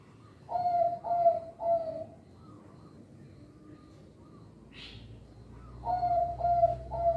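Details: Local zebra dove singing, used as a lure to train young birds: three mellow, hollow coos, pause with a few faint notes and a brief rasping burst, then three more coos close together.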